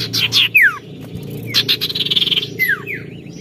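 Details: Lively, challenging song of an Oriental magpie-robin: quick high notes and falling whistles, then a fast trilled buzz and a final sweeping whistle, over low background hum.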